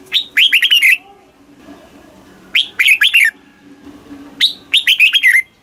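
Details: Red-whiskered bulbul singing the southern Thai master style, used to excite caged birds and tutor young ones: three rapid phrases of loud chirpy whistles, each opening with a rising note and ending in downslurs.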